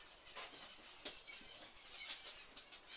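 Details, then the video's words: Captive finches in a home aviary and birdroom, a flock giving quick high-pitched chirps and tweets, some sharp and clicking, scattered irregularly over a soft rustling background. "Finch Aviary & Birdroom"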